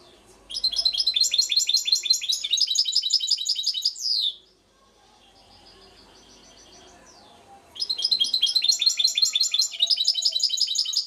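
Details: Goldfinch song recorded in Šuto Orizari: a fast, bright chatter of high repeated notes that ends in a downward sweep, then a pause with faint twittering before the rapid jingling phrase starts again.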